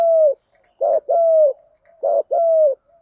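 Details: Spotted dove cooing as a lure for wild doves; rich low coos in paired units, a short burred note then a sustained falling coo, repeated roughly every one and a half seconds.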